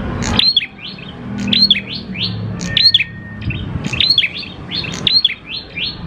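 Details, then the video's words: Grey prinia (prenjak klawu) singing steadily as a lure to trigger other prinias: bursts of rising, rasping upslurs with high ticks, roughly every 1.2 seconds, a brief low hum in the middle. "PANCINGAN PRENJAK KLAWU GACOR, NGALUN BIKIN PRENJAK CEPAT BUNYI"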